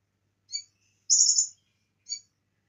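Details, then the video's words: Bar-winged prinia in a training recording filled with cililin song: a single high chirp, then a half-second buzzy, rattling high burst, then another chirp. "Konin gacor full isian cililin"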